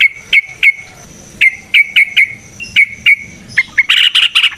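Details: Yellow-vented bulbul (trucukan) in a long, lively natural-style song, used as a lure to get other trucukan singing. Sharp chirps come about twice a second, then a dense burst of louder, quicker chirps. A thin steady high whine runs underneath throughout.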